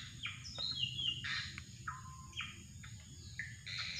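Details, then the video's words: Drongo calling for bird luring: a rapid run of short, mid-high whistled notes, several sliding downward, about four per second, with one longer lower whistle, over a persistent high insect hum and faint low rumble. "mikat burung srigunting"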